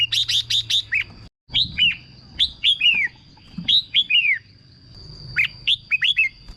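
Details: Caged red-whiskered bulbul singing, played to excite other caged birds: short bursts of bright, clear whistled notes falling in pitch, in phrases of three to five, with a brief pause, and a steady faint high tone throughout.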